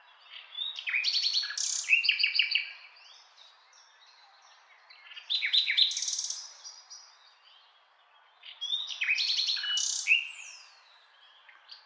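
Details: Three full common nightingale phrases, each starting about four seconds apart, packed with clicking rattles, fast trills and high whistled flourishes, with quiet pauses between them.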